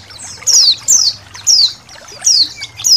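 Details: Paced high chirps from a colony of white-eyes, with trickling water, recorded to train songbirds; each note slides steeply downward and repeats roughly every half second.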